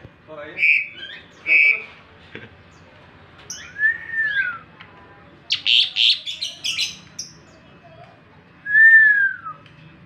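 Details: Asian pied starling singing in the morning: loud slurred whistles, some arching down, mixed with harsh clicking chatters, delivered in uneven bursts over a quiet background.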